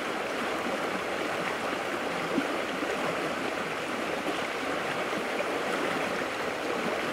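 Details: Rushing stream water fills the recording with steady broadband noise, and no animal sounds are heard.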